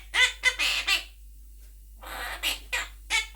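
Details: Pet Monk parakeet, also called Quaker parrot, talking and singing along with its owner indoors; harsh, squawky harmonic bursts in quick irregular clusters, about four per second, with a brief pause midway.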